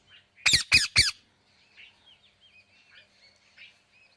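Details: Parrot giving three loud harsh squawks in quick succession, followed by quiet twittering and soft whistled chatter.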